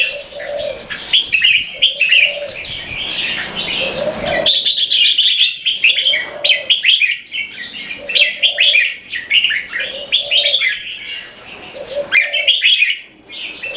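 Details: Purebred Thai red-whiskered bulbul kept as a caged competition bird, known for non-stop keke calling, pours out long runs of sharp chattering notes broken by short gaps, with repeated low dove coos underneath.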